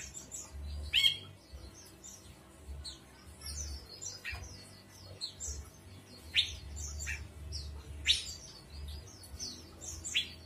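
Ashy bulbul: loud, sharp downward-sweeping notes every couple of seconds over a busy stream of high chirps and twitters, with a faint low rumble beneath.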